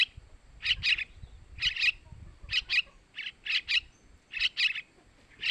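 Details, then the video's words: Sooty-headed bulbul chick begging calls for luring males: evenly spaced pairs of harsh, high chirps, about one pair per second, over soft low background noise. "Suara Anakan Trucukan buat Pancingan burung Trucukan jantan"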